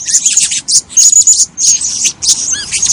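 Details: A female blue-crowned hanging parrot, kept as breeding stock, gives rapid high-pitched squeaky chirps and thin drawn-out whistles in irregular bursts, with short pauses between phrases.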